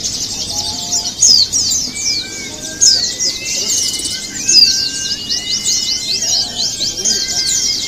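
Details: Many Javan white-eyes twitter together in a contest simulation, high fast chirps packed densely, punctuated by louder bursts roughly every second and a half, with thin sliding whistles below.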